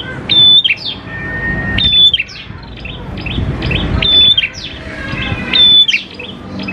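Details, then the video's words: Prolific-singing prinia used as a lure to prompt other prinias to sing: phrases every second or two, each a clear high whistled note dropping into quick descending chirps, with a long steady lower whistle after one phrase. "PANCINGAN PRENJAK KLAWU GACOR, NGALUN BIKIN PRENJAK CEPAT BUNYI"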